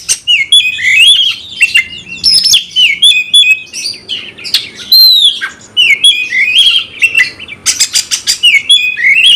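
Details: Oriental magpie-robin singing in gacor style to stir rival birds into fighting: rapid mix of sweet whistled notes, rising and falling slurs and scratchy bursts, almost without pause over nine seconds.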